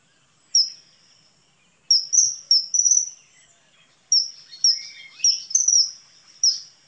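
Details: Common kingfisher (Alcedo atthis) calling with a series of sharp, piercing high whistles given singly and in quick clusters, a brief lower note among the later calls.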